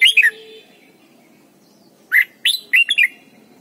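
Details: A red-whiskered bulbul gives a training song of short, bright, bubbling whistled phrases: a quick opening burst, a pause, then four or five rolling notes in quick succession.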